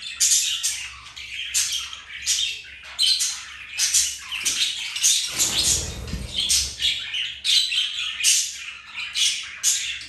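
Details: Budgerigars, a pet pair, playing and flirting; busy grating chirps and squawks in repeated bursts, a brief broadband rustle near the middle.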